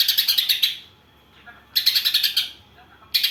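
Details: Greater green leafbird singing a song filled with imitations of sparrow and kapas tembak phrases: three loud bursts of rapid, high, bright chirps, each a quick run of about eight notes, separated by short quiet gaps.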